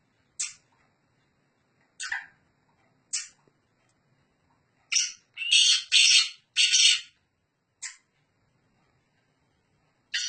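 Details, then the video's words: Black francolin of Sindhi type calling from a person's hand: scattered short, harsh clicks and rasps, then a loud sequence of four long, grating, buzzy notes, followed by further single rasps. "Hath paw bolny wala Sindhi Gangus teetar"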